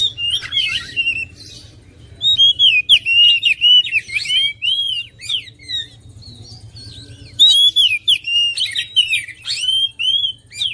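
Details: Long, varied oriental magpie-robin song with quick, looping whistles and chattering notes in two main bursts, separated by a quieter stretch of soft notes.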